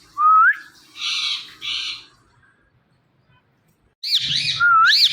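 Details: Female Indian ringneck parrot vocalizing naturally: a rising whistled note, two harsh grating squawks, a long quiet gap, then wavering raspy squawks ending in another upward-slurred whistle.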